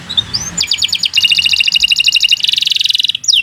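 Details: Canary singing a long tutor song for training birds: a few thin slurred whistles, then rapid rattling trills that shift to a denser, faster high trill, ending in a short upward note.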